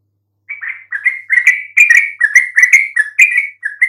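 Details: A yellow-vented bulbul sings to coax mute birds into answering. After a brief silence, loud bubbling notes begin, tumbling in quick succession with a fluty, slightly slurred quality.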